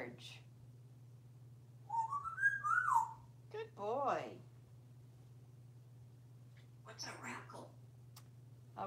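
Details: Pet parrot talking while perched in a bathtub indoors, 15 July 2018: a wavering whistled phrase rising and falling, then chattering, speech-like mimicry in short bursts separated by quiet gaps, with a person speaking to the bird.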